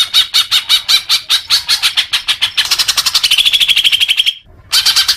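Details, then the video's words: Leafbird singing, used as therapy for newly kept young birds: evenly spaced chips that quicken into a dense trill over a steady whistled tone, then a brief silence and a final burst of notes. "suara kicau murai daun"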